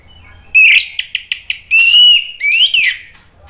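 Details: Orange-headed thrush song used to stimulate a bird to sing. A loud burst opens, followed by quick clicky notes, then a long sustained whistle and a final rising, twisting phrase.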